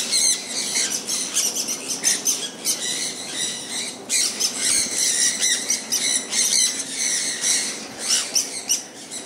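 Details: Sun conures, caged pet birds enjoying a rain shower, trade rapid bursts of shrill, grating squawks, some overlapping, against continuous rain noise.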